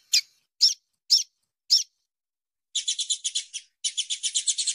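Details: Female double-collared seedeater giving calls meant to stimulate males to sing, used to warm up birds for song tournaments: four sharp, high descending notes about half a second apart, then two bursts of rapid, buzzy high chattering.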